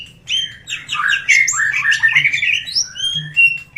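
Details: Greater green leafbird singing, played to make other birds sing: dense, rapid warbled chatter of high whistled and twittering notes, rising and falling, ending in a few clearer drawn-out whistles.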